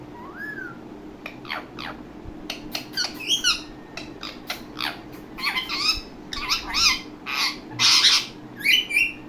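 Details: Indian ringneck parakeet, a talking parrot, opens with a rising whistle, then chatters in dense raspy bursts of clicks, squeaks and harsh syllables, getting louder toward the end.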